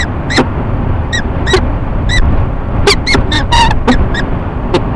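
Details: Peregrine falcon pair in courtship at a nest box on a Rochester, New York building, March morning; sharp harmonic chup notes repeated irregularly, several closely spaced near the end, over steady low rumbling background noise.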